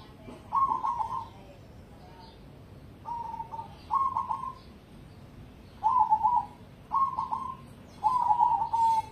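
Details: ['Cemani zebra dove bred for competition, cooing in six separate soft, stuttering phrases with irregular pauses of one to two seconds, some short and some longer and rolling.']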